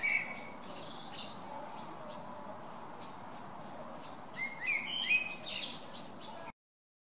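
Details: Blackbird song recorded December 17, never repeating a phrase: a brief whistle and high squeaky trill, a quiet gap, then a fuller warbled phrase with high twittering tail before the sound cuts off.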